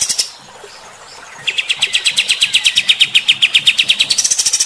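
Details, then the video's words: Bulbul song in the rough, rapid-fire 'tembakan kasar' style for provoking fighter-type birds: a short high burst, a second of near silence, then a long even volley of sharp chips that climbs higher at the end. "AUDIO KAPAS TEMBAK GACOR MBESET TEMBAKAN KASAR. BIKIN EMOSI BURUNG TIPE FIGTER"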